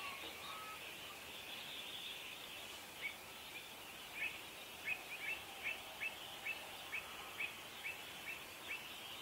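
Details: Pied avocet with chicks, protecting its young during a territorial dispute: short sharp notes repeated about every half second, a clipped series of a dozen calls over steady background noise.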